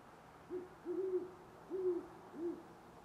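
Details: Great horned owl near sunrise, 25 November 2011, Parker, Colorado, giving a deep, soft series of four hoots, the middle two longer and drawn out, over a quiet background.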